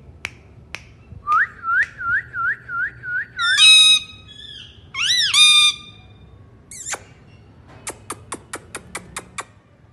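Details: Pet talking ringneck parrot gives a run of eight quick rising whistled notes, then two loud harsh harmonic squawks, followed by a series of sharp clicks spaced about a third of a second apart.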